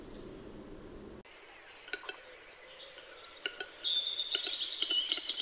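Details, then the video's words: Western capercaillie display song at the lek: dry, spaced knocking clicks that quicken, then a sustained high, hissing, grinding whetting phrase. "Звук глухаря: какие звуки издаёт глухарь?"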